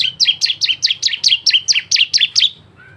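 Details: Bar-winged prinia delivering a rapid series of about eleven bright, high, down-slurred chirps, roughly four per second, in an energetic variation song meant to lure other prinias into singing.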